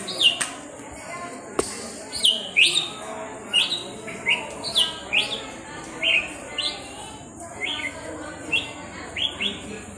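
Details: Hand-raised red-whiskered bulbul singing short, bright whistled phrases that swoop up and down, repeated roughly every two to three seconds, over a steady high hiss and low background murmur.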